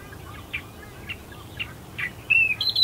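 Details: Australian reed warbler among reeds at dawn, Herdsman Lake, Perth, Western Australia: a few faint, spaced chirps build into a loud, clear whistled phrase at the end, over low steady background rumble.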